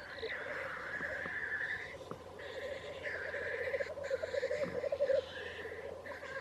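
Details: Near Wrexham, black grouse bubble in a low rolling chorus, getting louder toward the end, while drawn-out higher hissing or wheezing notes rise and fade above it several times.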